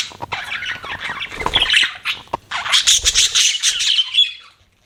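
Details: Budgerigars kept as pets chirping: dense, scratchy warbling chatter with rapid squawky notes, briefly interrupted by a pause near the middle before resuming and fading out.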